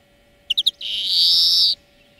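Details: European greenfinch singing, recorded as a song lesson for training birds: three fast chirps lead into a long, harsh, slightly rising wheeze, with a continuous low hum underneath.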